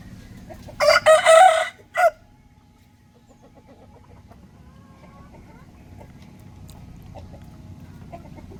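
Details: A rooster crows in the morning, a harsh, loud cock-a-doodle-doo of about a second with a short tail note, followed by a long, fairly quiet stretch with faint rumbling and distant clucks.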